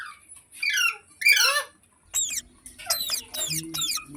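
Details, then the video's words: Harsh, wavering squawks of a pet ringneck parrot, three loud calls first, then a quick series of sharp descending screeches about every third of a second. "Ringneck Parrot Sounds"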